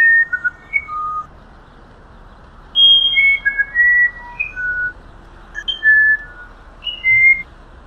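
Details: Musician wren song of pure, flute-like whistles, single notes stepping up and down in pitch, some slurred, given in a short cluster, a pause, then a longer melodic phrase over low background hiss.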